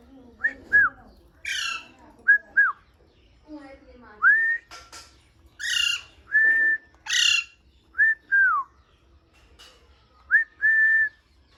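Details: Pet parrot whistling with enjoyment: repeated clear whistles, some rising then falling, others held level, mixed with harsh squawks, given in bursts roughly every second.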